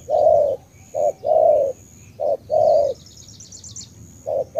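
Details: Spotted dove from Cà Mau, Vietnam, giving alternating short and long low coos with clear gaps, while a small bird adds a quick high twittering trill.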